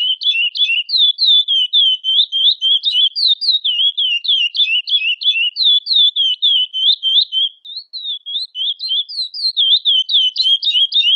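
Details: A female chestnut-bellied seed finch (curió, Sporophila angolensis) calling repeatedly, soliciting mating, gives rapid, high, chirping notes, about three or four a second, steady and clear.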